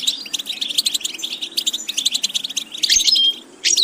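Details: A goldfinch, European species, singing a training song of crisp rapid chirps in short runs, a brief lull, then thin pure whistled notes and a final buzzy downslur.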